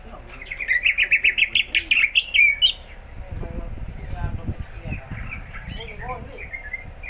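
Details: Greater green leafbird that is starting to sing often: a quick run of bright, chirpy notes repeated for about two seconds, followed by softer scattered twitters over low rumbling background noise.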